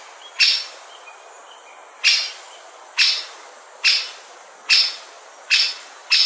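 Great spotted woodpecker giving sharp, high 'kik' notes, seven in all, spaced roughly a second apart against a faint background hiss.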